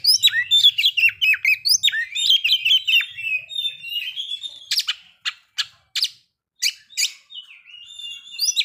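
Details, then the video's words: White-rumped shama song meant to provoke breeding condition and aggression: rapid varied whistles and chattering notes around mid-high pitch, several sharp broadband clicks in the second half with brief silent gaps. "pancingan agar kacer capat birahi dan emosi terampuh"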